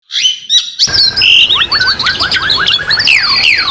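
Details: Asian pied starling masteran training song set in a mountain nature soundscape, used as therapy to get a kept bird singing: brief chirps, then a run of rapid descending whistled slurs and high squeaky notes, with other birds overlapping.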